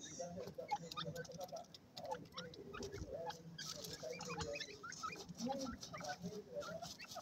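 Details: Grey francolin chicks from Pakistan giving many short high peeps and chirps, scattered irregularly and overlapping, with a steady low background murmur.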